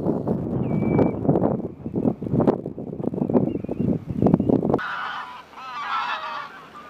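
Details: A large flock of pink-footed geese at Snettisham, Norfolk, in March calls constantly, a dense chorus of high, nasal honks and yelps, with a brief whistled note partway through.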